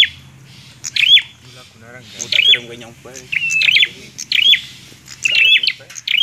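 A Bar-winged Prinia sings loud, bright, high chirping phrases, repeated about every second, over lower harsh, buzzy chatter.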